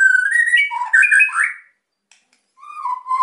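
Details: White-rumped shama, its song used to provoke quiet birds into singing: rich whistled phrases sliding between low and high notes, a pause, then a lower sustained whistle.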